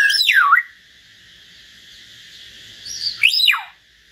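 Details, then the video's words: Common hill myna trading song with a white-rumped shama: two loud, pure whistles, each swooping steeply down and back up, separated by nearly three seconds of quiet hiss. "Chim nhồng và choè lửa hót solo"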